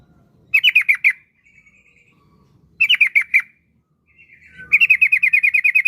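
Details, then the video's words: Yellow-vented bulbul, a kept bird, singing as a lure so other bulbuls start singing: three bursts of rapid, bubbly, chattering notes repeated quickly, separated by short pauses with faint thin trailing tones. "Trucukan Gacor Ampuh untuk Pancingan Trucuk Biar Cepat Bunyi"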